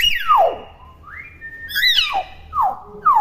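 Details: Whistled calls from a young common hill myna in its natural voice, not yet talking: a long falling whistle, a level mid-pitched note, then sharp descending whistles repeated toward the end.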